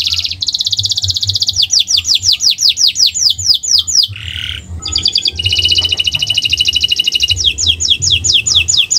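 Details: Canary singing owor-owor style tutor song: a fast high trill easing into falling whistled slurs, a brief harsh buzz near the middle, then another rapid trill and more descending notes.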